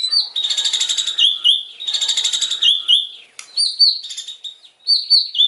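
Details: White-rumped shama in a harsh, forceful singing style, pouring out loud buzzy trilled phrases in two long bursts, then shorter clear whistled notes with sharp clicks between them.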